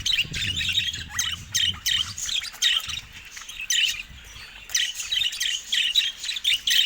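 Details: Caged budgerigars, the birds going after a camera. Steady, busy high chattering of rapid scratchy chirps and warbles that dips briefly midway, then resumes strongly.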